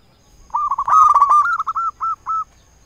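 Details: Local Indonesian zebra dove used as a lure to draw rivals into answering; a loud, buzzy opening burst runs into a rolling series of mid-pitched cooing notes that slow and separate toward the end.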